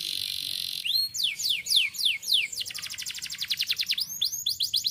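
A canary sings a rapid, high rolling song: sweeping descending whistles in quick succession, then a fast buzzy trill of repeated notes, all bright and continuous.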